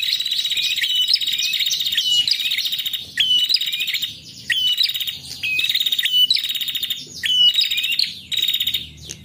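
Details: A female prinia gives rapid, high, buzzy trilled phrases with sharp chip notes, repeated in bursts about every second with short pauses between. The sound is used to lure and provoke male prinias.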